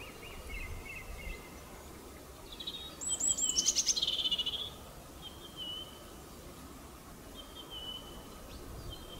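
European robin singing one clear phrase of high, thin whistles sliding into a quick trill, followed by softer scattered notes over a low background hum.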